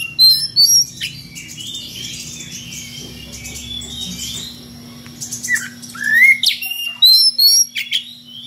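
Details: Oriental magpie-robin using unusual ngeplong variations to call a rival: an opening flurry of bright, high whistled notes, a subdued stretch of soft chatter, then renewed loud whistles and chips toward the end; steady hum throughout.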